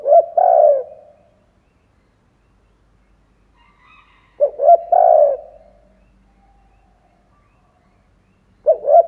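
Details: Spotted dove used as a decoy, cooing to lure and excite other doves: three low mellow phrases, each two short stuttered notes then a long hollow coo, spaced about four seconds apart, with no other sounds.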